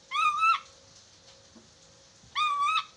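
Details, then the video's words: Chattering lory calls used to train the birds to talk: two strident, rasping squawks of about half a second each, flat in pitch and about two seconds apart, with quiet hum and faint clicks in the gap. "MASTERAN NURI DORA agar cepat bicara"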